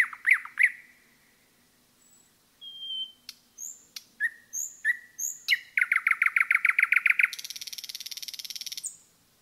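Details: Common nightingale singing in a forest: a pair of rich piping notes, then high thin whistles and sharp clicks building into a fast loud rattling trill of repeated notes, ending in a dense buzzing roll and a short high whistle.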